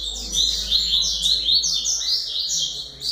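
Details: Double-collared seedeater singing a fast, high twittering run of short chirps and slurred sweeping notes, delivered nearly continuously with a faint low hum underneath.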